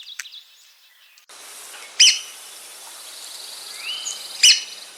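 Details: Threatened Red-cockaded woodpecker of southern pine forests uttering two sharp, high-pitched clipped calls about two and a half seconds apart, with a faint whistle from another bird and steady background hiss.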